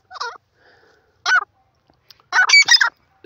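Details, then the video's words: A francolin (teetar) gives loud, harsh, grating notes: a short burst, a second after about a second, then a longer run of rasping syllables. "Teetar ki awaaz"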